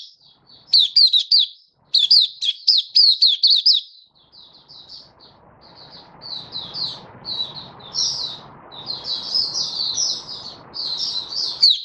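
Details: Caged Malaysian white-eye (mata puteh) singing happily in Singapore, 20 March 2023, warm and sunny; two quick bursts of high looping notes, then a long stretch of softer, high twittering over a faint background hiss.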